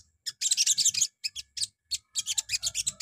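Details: Sogon morning song meant to trigger answers from other birds: fast, buzzy high chatter in several bursts, over a faint low rumble of background noise.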